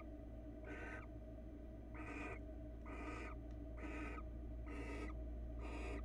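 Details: Barn owl on a Florida nest camera as the male brings a rabbit to his mate; harsh, broadband hissing screeches repeated about once a second, each roughly half a second long, over a steady low hum.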